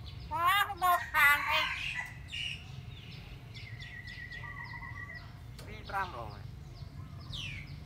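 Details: Pet talking myna with loud harsh stacked bursts at the start, then quieter scattered chirps and a second rasping burst later, over a steady hum and faint whistling.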